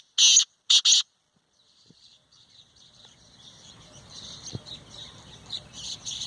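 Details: Black francolin (kala tetar), a two-year-old young bird, giving three loud, harsh, grating notes in quick succession within the first second, followed by faint rustling and a soft background hiss.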